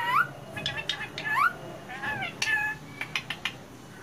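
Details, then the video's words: Pet female Indian plum-headed parakeet talking: several quick rising, harmonic-rich slurred syllables with gaps, then a few short sharp clicks near the end. "Talking Plum Headed Parrot"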